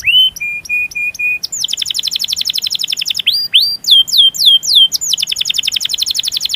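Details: Canary rolling song meant to provoke lazy canaries into singing: five flat whistled notes, then a rapid rolling trill, a few looping slurred notes, and back into a fast steady trill.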